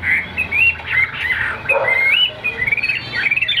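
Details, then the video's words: Caged Chinese hwamei of the tam hoàng type, kept as a good singer: a loud, varied run of clear whistled phrases sliding up and down, with short rapid notes near the end and no other clear sounds. "Tam hoàng chim đẹp trên từng milimet, hót tốt bộ siêu đẹp"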